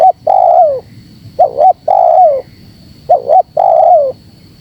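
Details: Spotted dove calling loudly to lure other birds: a repeated phrase of a quick double note followed by a long coo that slides down, given three times at an even pace.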